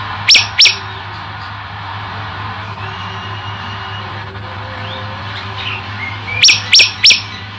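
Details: Song variation from a male olive-backed tailorbird that was later set free: two sharp, high notes, a long gap with faint background sounds, then a closing burst of three quick, piercing notes, over a constant low hum.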